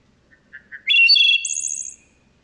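Wood Thrush: a few soft low introductory notes, then a rich, fluty middle phrase ending in a high, buzzy trill. No other sounds.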